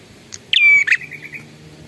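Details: Single loud prinia phrase from an energetic singer: a short tick, then a buzzy burst running into a thin level whistle and a rasping note. A soft wavering trill trails after it over a faint low hum.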